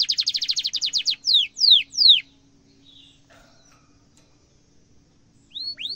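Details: Canary rolling trill for teaching young canaries: a quick run of repeated whistled notes, three slower downward sweeps, a quiet gap, then two rising notes at the end.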